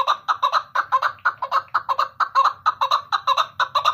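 A female chukar gives hoarse, clucking chuck notes, about four a second in a steady run, over a faint low hum.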